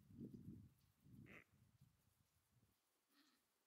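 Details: Adelie penguins on the sea ice at Cape Hallett: low, harsh grunting bursts open the recording and return near one second, followed by a brief higher squawk, then quieter scattered rumbling against a calm background.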